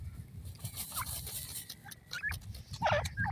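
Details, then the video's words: Grey francolin chicks calling with short, scattered peeps and chirps, ending in a louder, slightly warbled cheep over a constant low rumble. "teetar k bachon ki awaz"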